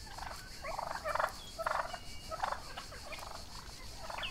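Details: Young Royal Palm and Broad Breasted White turkeys grazing outdoors on a summer day, a rapid rattling gobble repeated in bursts about every half second to second, with faint small-bird whistles and insect hiss behind.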